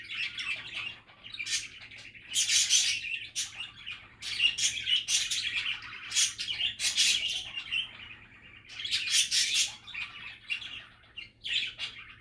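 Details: Budgerigars in cheerful, relaxed chatter: rambling warbled phrases of chirps and clicks, punctuated by loud harsh bursts every second or two, with brief lulls.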